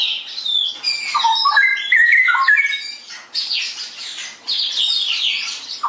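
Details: Straw-headed bulbul singing a ngeroplek-style song, a run of loud, rich, rolling whistles and gurgles that rise and fall quickly, followed by a stretch of high, scratchy twittering.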